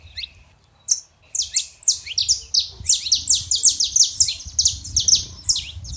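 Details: Saffron finches, a male and a female, singing to warm up a quiet canary: rapid series of bright, high, downward-slurred chirps in fast bursts, building into a dense, continuous run of sharp notes.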